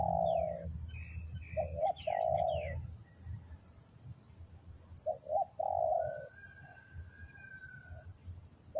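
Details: Spotted dove from Ninh Thuận, Vietnam, used as a decoy to lure wild doves into a trap: low, hoarse cooing phrases in short bursts, with higher chirping birds and faint insect-like ticking behind.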